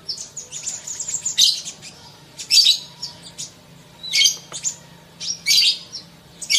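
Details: Sunbird in fast song, loud bursts of sharp, very high twittering notes repeated about once a second, separated by short quiet spells over a faint low hum.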